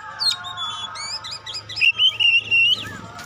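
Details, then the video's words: Oriental magpie-robin lure song: a run of quick varied whistled slurs building into a loud sustained wavering warble, with a constant low hum and tone behind. "Tes Kacer Anda dengan Kacer Pastol Ini. Semakin lama makin Panas"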